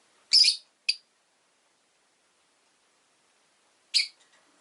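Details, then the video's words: Rosy-faced lovebird making a long scratchy chirp followed quickly by a short one, then after a pause a third harsh chirp with faint trailing notes. "Lovebird Chirping Sounds"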